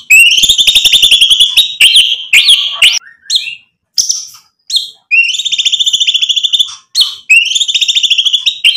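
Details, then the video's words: White-rumped shama delivering a mimicry-filled song to make rival birds react: rapid machine-gun trills of high notes, a few sharp slurred whistles and clicks in between, and more quick rattling trills after a short pause. "MURAI BATU GACOR bikin EMOSI lawan jadi NYAUT BUNYI BONGKAR MATERI ISIAN ampuh buat PANCINGAN murai"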